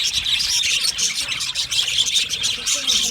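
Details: Budgies calling at once, a steady stream of bright chirps and rasping chatter that pulses slightly in loudness over a few seconds.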